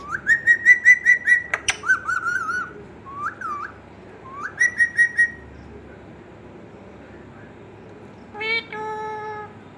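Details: Indian ringneck parakeet kept as a pet, giving a series of bright whistled notes in quick bursts, then a pause and a short harsh nasal call near the end, after a person says a word in Hindi.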